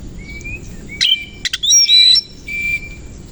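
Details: Morning song of a kacer koci Oriental magpie-robin fluffing its feathers and fanning its tail: a thin rising whistle, then quick sharp clicks and a dense, scratchy burst of jumbled high notes, ending in a softer warble.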